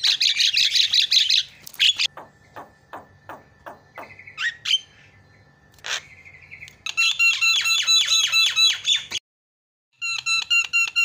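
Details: Lure song of a Javan myna for reviving a bird that stopped singing: dense buzzy chatter, a row of dry ticks, short whistled squeaks, then rapid rattling harmonic trills after a brief pause.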